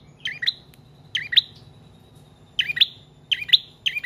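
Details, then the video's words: Song of a bar-winged prinia, played to attract and teach other caged birds: high, squeaky paired notes come in short bursts with gaps of about a second between them. "Prenjak Trotol/Paot Gacor Panjang Cocok Buat Pancingan/Masteran Burung Anda"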